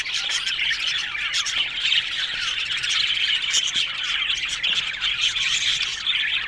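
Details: Many Australian budgies chattering in an aviary colony, a bright, even stream of overlapping tweets, clicks and squawks that never stops across the recording.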